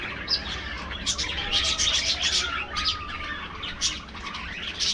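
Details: Afternoon feeding time for caged budgerigars, heard as rapid high chirps and twittering tumbling over one another, with a few thin whistled lines weaving through.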